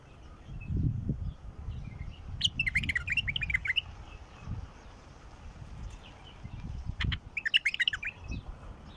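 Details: Wild bulbul song used to get a quiet bulbul singing: two short, bright, bubbling warbled phrases a few seconds apart over steady low rumbling noise and occasional thumps.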